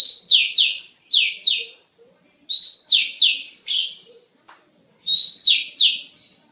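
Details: Oriental magpie-robin (kacer) singing a training song for cage birds: bursts of loud, rapidly repeated, downward-sweeping whistled notes in three runs of four to six notes, with short pauses between runs and a faint steady high tone.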